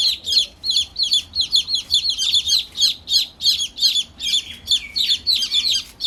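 A brood of newly hatched chicks peeping nonstop: high, bright, downslurred cheeps overlapping in a rapid chorus, several each second, with no other sounds of note.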